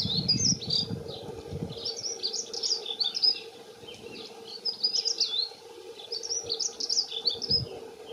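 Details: Male dunnocks, two, singing territorial song: several short, rapid, squeaky warbled phrases of high tumbling notes separated by brief pauses, with low rumbling noise early and a steady drone throughout.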